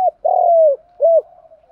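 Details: Spotted dove cooing in the giọng đồng pha thúc gù style, used to prompt kept doves to coo: a long throaty falling coo followed by a shorter hooked note and a soft trailing murmur.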